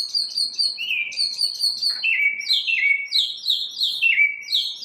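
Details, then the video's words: A single bird singing in the morning: a run of short high notes stepping downward, then a second series of lower, slurred downward notes, all quick and lively, with no other sounds. "Birds chirping | Bird chirping sounds | Bird singing | Morning bird sounds"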